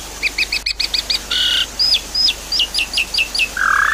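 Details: Javan pied starling singing, played to coax a silent bird into song: a rapid run of short doubled chirps, a buzzy harmonic note, a series of quick hooked whistles, and a final low drawn-out note.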